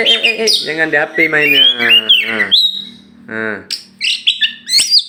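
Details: Oriental magpie-robin (kacer), a tame contest champion from Aceh, flying loose before being hung: rasping, rising harmonic notes run into sharp whistles, then a short harsh burst and scattered high chips.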